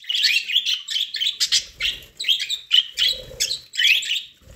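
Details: Pet budgerigars eating corn, chirping in quick buzzy, warbled bursts that run almost without pause, with soft low thumps of feeding between calls.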